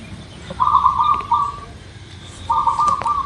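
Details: Zebra dove of the local kind singing as a lure for quick singing: two long, trilled cooing phrases about two seconds apart, each ending in a steady drawn-out note, over soft hiss and a few clicks.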